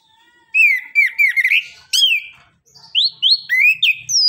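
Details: Orange-headed thrush in gacor 'nembak, ngeriwik' song, meant to draw answers from quiet birds: a string of ringing, down-curving whistles repeated in quick succession, ending in high sliding notes.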